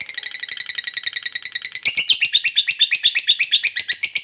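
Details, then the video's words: Fighter lovebird in a long ngekek trill used to provoke other lovebirds: rapid, harsh, high chattering notes at about two per second, shifting to a louder, denser stretch midway. "Lovebird Fighter Rajin Ngetik Lanjut Ngekek Panjang, MUDAH Pancing EMOSI Lovebird"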